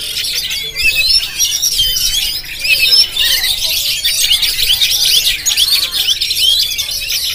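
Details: High, busy warbling from an Oriental magpie-robin of the Jampang variety, captured on a GoPro. Tangled whistles and scratchy notes run almost without pause, with a few clearer upward slurs standing out.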